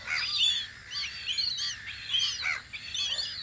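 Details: High, chattering gull cries rise and fall in loose bursts at the spring guard post on Audru polder, with a faint background of more callers.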